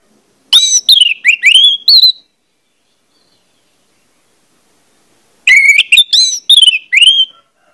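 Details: Orange-headed thrush, or anis merah, singing a pancingan lure song meant to make birds sing freely: two rich bursts of quick slurred whistles and chirps, each about two seconds long, with a long silent pause between them.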